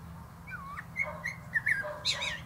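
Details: Atop a plum tree a male common blackbird gives low, rounded fluting whistles in a slow sequence, ending with a higher squeaky twitter.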